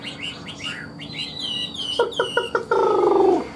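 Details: Chinese hwamei, a caged songbird, giving short whistled phrases followed by loud, rich descending notes repeated about every quarter second, then a longer harsh burst; steady electrical hum throughout.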